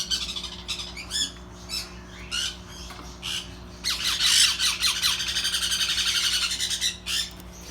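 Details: Baby sun conures that are just starting to eat give harsh, raspy begging squawks in rapid bursts, with a loud wheezy stretch midway.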